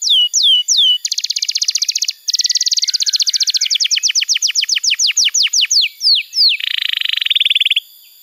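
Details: Canary song meant to get silent canaries singing: quick downslurred whistles, two long buzzy rolls, a descending trill that gradually slows, then a lower rattling roll.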